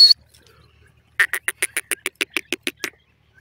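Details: Partridge heard at a cage with a startled female bird sitting on it; a brief high whistle, then silence, then a rapid run of about a dozen harsh chuckling notes, evenly spaced and quickening.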